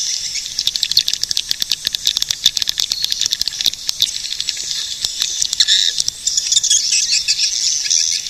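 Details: Swiftlet calls, likely a playback recording: dense, high twittering and chattering chirps layered continuously, with sharp clicking ticks scattered throughout and no other clear sounds.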